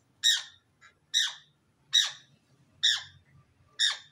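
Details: Healthy African grey parrot chicks kept as pets: loud harsh rasping squawks, each falling in pitch, repeated about once a second, five in a row, with faint low rumbling between.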